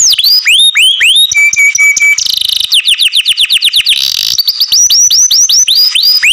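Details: Loud song of a canary: long arching whistles, a steady flat tone, buzzy trills and rapid repeated swooping notes, all high-pitched and varied.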